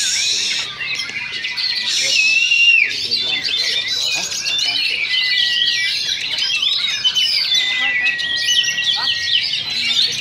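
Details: Caged Oriental magpie-robins duelling at a Sunday practice singing contest in Sindanglaut, session two: dense, overlapping whistled and chattering phrases high in pitch, with a long steady whistle held through much of the clip and faint voices beneath.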